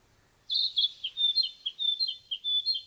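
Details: {'caption': 'Narcissus flycatcher delivering a steady string of paired whistles, a clear flat note and a lower slurred note repeated about every third of a second, high and sweet against a quiet background.'}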